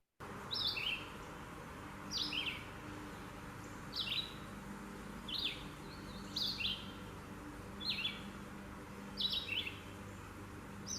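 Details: Red-eyed Vireo sings six short, high, slurred phrases, each ending in a quick drop, about every one and a half seconds, over a steady low hum; it sings from dawn all day long.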